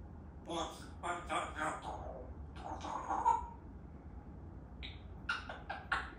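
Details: Talking African grey parrot uttering rapid speech-like syllables in short clusters, with a brief tonal whistle in the middle and a quick run of clipped sounds near the end.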